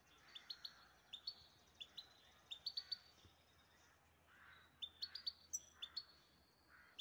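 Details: In Istaravshan, a caged grey-headed goldfinch kept as a pet gives high, sharp tweets in rapid runs, paired with softer, lower buzzing notes, over a quiet background hum.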